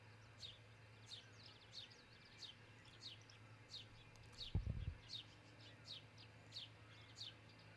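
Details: Nest-camera recording of osprey at Charlo, Montana, early morning 22 June 2018: a long run of sharp, falling, piping notes at a quick, even pace, with low hum and a brief thump partway through.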